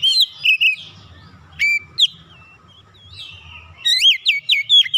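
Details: Caged Oriental magpie-robin launching into song on hearing another bird. Brief bright whistles and a long gliding note lead into a fast run of loud upward-swept whistles, over a faint low hum.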